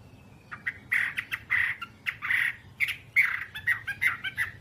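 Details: Whambie song, nonstop tutor recording for kept birds: rough, harsh squawky notes in short bursts about once a second, mixed with sharp clicks over a faint background hum.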